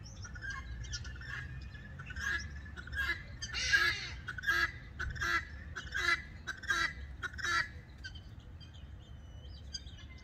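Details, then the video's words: Guineafowl chattering through the night from roost trees in Gqeberha (Port Elizabeth), South Africa, groups roosting in separate trees calling back and forth; harsh rhythmic cackling notes about once a second, building louder mid-sequence, faint higher chirps behind. "Guinea Fowl: Chirpy Chirpy Cheep Cheep All Night Long"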